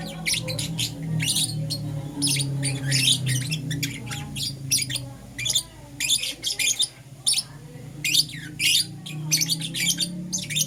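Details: Euwing Green Opaline and Lutino lovebirds in the morning giving harsh, shrill squawking chirps in irregular rapid series, with a steady low hum beneath.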